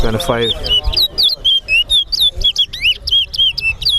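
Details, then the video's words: Towa towa singing during a bird competition at Sheriff Street bird ground, Guyana. After a brief voice at the start comes a steady chain of clear, bouncing whistled notes, about four a second, high and sweet. "BIRD AND THE RESTLESS TOWA TOWA BIRD COMPETITION AT SHERIFF STREET BIRD GROUND"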